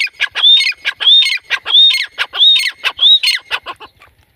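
A female grey francolin gives loud, harsh, squeaky notes in quick repeated phrases, each with a high whistled tone, about every two-thirds of a second.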